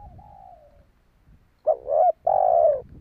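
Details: Spotted dove calling to lure wild doves: a faint distant coo at first, then after a pause a loud wavering double coo followed by a long level coo that falls away.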